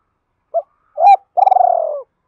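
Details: Lure call of a spotted dove to provoke others: a brief soft coo, a louder swelling note, then a long, pulsing coo that slowly descends and fades.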